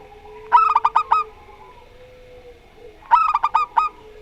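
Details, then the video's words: Zebra dove of the local Rondo Semoyo type: two separate bouts of about five crisp, clipped coos, each lasting under a second, with a quiet steady hum between them. "Perkutut Lokal Rondo Semoyo VS Perkutut Suara Aneh"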